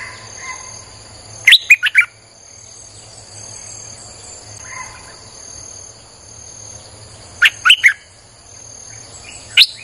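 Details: Streak-eared bulbul song used as a lure for wild birds: two short bursts of bright, chirpy, warbling notes about six seconds apart, then a single note, over a steady high whine and a low hum.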